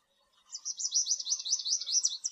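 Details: A fast, even series of high, slurred whistled notes from an American goldfinch, repeated about eight times a second for nearly two seconds in a clear, lively run.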